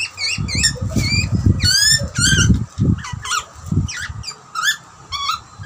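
A young butcherbird gives bursts of harsh, squeaky begging notes with quick rising and falling harmonics, about twice a second, over low thumping and rumbling noise.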